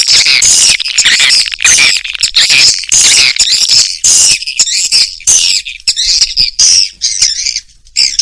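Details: Swiftlets in an Indonesian 'sp kompak' sound for swiftlet farmers give loud, repeated, buzzy high twitters in bursts roughly every second, with sharp squeaky notes on top.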